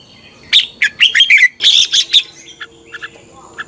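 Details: Fighting song of a red-whiskered bulbul used as training lure: one loud, dense run of rich whistled and slurred notes lasting about two seconds, followed by softer scattered chirps.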